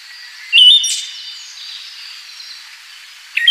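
Siberian thrush giving a brief, thin, high whistled note, repeated once about three seconds later, over a soft steady hiss.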